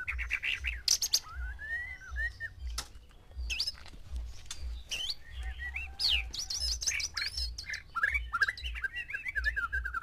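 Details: Male white-rumped shama kept with six females, singing to provoke mating: a dense, varied stream of sharp whistles, trills and sweeping notes, over a constant low mechanical hum.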